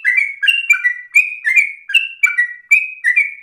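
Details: Sooty-headed bulbul in persistent, rapid 'ropel' song, the busy chattering style kept as a tutor recording: bright whistled notes, some rising and some falling, about ten quick phrases in a steady run with no other sounds.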